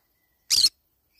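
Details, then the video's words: Single brief, rasping screech from a green-cheeked conure while it eats banana leaves, lasting about a fifth of a second, with silence around it. "green cheek conure cute bird sound"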